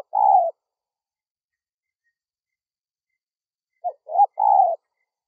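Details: Spotted dove calling to lure wild doves: one drawn-out husky coo, a long silence, then two short clipped notes followed by another rolling coo.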